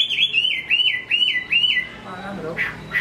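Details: Chinese hwamei singing well in Hải Phòng, Vietnam: five loud, evenly spaced arched whistles descending slightly in pitch, then a quiet gap and a couple of softer notes.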